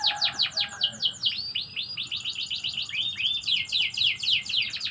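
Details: Canary in full morning song, a varied run of fast descending chirps, sweeping whistles and quick high trills, delivered loud and continuous.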